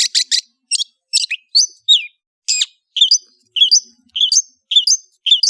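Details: Long-tailed shrike (cendet) in chattering kicau ocehan song. Harsh, scratchy high bursts give way to a repeated two-part phrase, a dipping note then a sharp chip, given roughly every half second.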